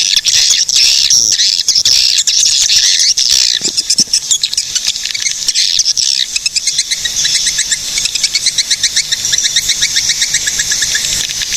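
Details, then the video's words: Swiftlets calling in Cilacap, Central Java, a sound used to lure them: loud, high, scratchy chattering that gives way to rapid, evenly pulsed ticking twitters, about four per second, running steadily to the end. "SUARA BURUNG PANGGILAN WALET GACOR"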